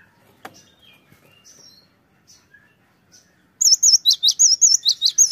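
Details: Cinereous tit lure recording meant to draw quick replies, bird singing persistently; after about three and a half seconds of faint scattered chirps, loud high whistled two-note phrases repeat rapidly, about five per second, until the end.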